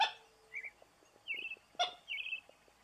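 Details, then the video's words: Common gallinule (Gallinula galeata) giving three short, nasal, squeaky phrases about a second apart, with two sharp harsh clucks and faint ticking notes between. "Canto da Galinha d'água, Frango d'água comum"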